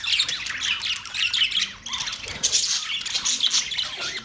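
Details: Several budgies keep up a steady high-pitched warble of overlapping chirps and rasping squawks, dipping briefly in loudness near two seconds and then rising again.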